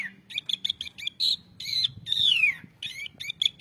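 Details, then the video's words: Asian pied starling song used as a training recording for songbirds: rapid repeated bright chip notes interrupted by squeaky bursts and a long descending slurred whistle, then more quick chattering notes. "suara burung jalak suren"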